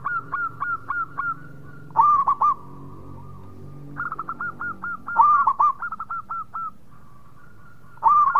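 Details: Local zebra dove song, long trains of quick staccato coos on a steady pitch alternating with stronger slurred triple coos, the bursts recurring every couple of seconds above a faint low drone.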